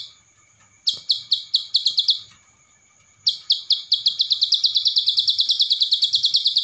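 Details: Loud ciblek sawah training song with Cililin-style fill: two runs of sharp, buzzy high notes, the first about eight notes, then after a pause a longer run that speeds up into a rapid rattling series, with a faint steady high tone behind.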